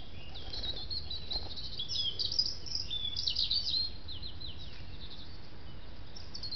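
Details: Song thrush singing varied high, sharp phrases in quick succession, some whistled and some chirping, strongest in the middle seconds. A faint constant low hum lies underneath.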